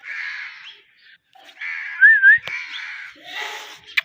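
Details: A talking pet (mithu) parrot gives harsh, drawn-out vocal phrases and one clear wavering whistle mid-way, ending with a short sharp squeak.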